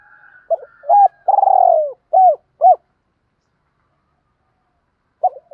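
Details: Spotted dove coos meant to stimulate birds in training: short hooked note, long rolling coo, two crisp hooked coos, then silence before a new phrase begins.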